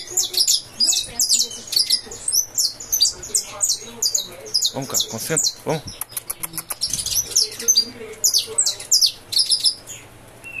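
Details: Breeder's saffron finch pouring out dense, high chattering phrases of sharp chirps, with brief clicking runs midway and low background murmur.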